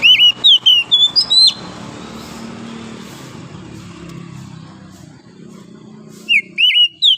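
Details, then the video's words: Morning song of a wild forest oriental magpie-robin: a rapid burst of bright whistled notes, a long quiet gap with low rumbling background, then another burst of sharp whistles. "OCEHAN KACER DIAPAGI HARI, suara asli kacer hutan liar"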